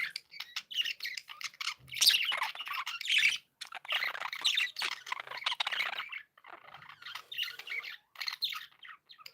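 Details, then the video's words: Several happy pet budgerigars kept indoors chatter continuously, a dense mix of buzzy warbles, squawks and quick chirps in bursts with brief pauses. "Happy budgies sound"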